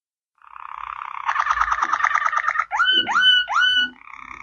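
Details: Waterslager canary song: a rapid bubbling, watery rattle of pulsed notes that builds in loudness, followed by three clear upward-sweeping whistles and a closing soft trill.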